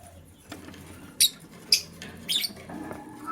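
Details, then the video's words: Lovebirds, a green and a blue, scrambling for vegetables in the morning; three short, scratchy high chirps spaced about half a second apart, with low rustling beneath. "Green LoveBird Chirping Sound"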